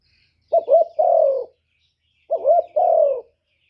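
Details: Decoy spotted dove giving two matching lure phrases about two seconds apart, each a fluttering two-note start and a long falling coo, on a silent background.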